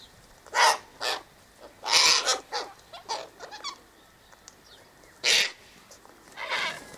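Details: Sulphur-crested cockatoos feeding on scattered sunflower seeds and wheat by the eastern gate: short, piercing, gravelly screeches, several in quick succession, then a pause and two more isolated harsh shrieks.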